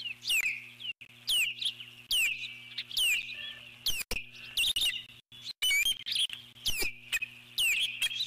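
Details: Eagle on its nest giving alert calls as a large intruding bird, possibly another eagle or an osprey, flies past: sharp, high, down-slurred chirps repeated roughly once a second, some in quick doubled bursts, over a steady low hum.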